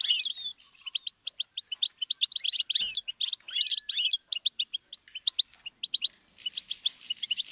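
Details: Goldfinch singing on a song-learning tape: long, fast run of liquid chirps and tinkling twitters, occasional buzzy notes, and a brief hissy burst near the end.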